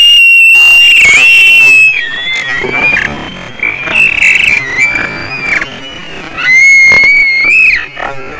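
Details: White-tailed eagle at a Latvian nest on 18 July 2019, as one eagle kicks another out of the nest, gives loud, high, thin piping calls in long wavering whistled bursts sliding up and down, with rustling between.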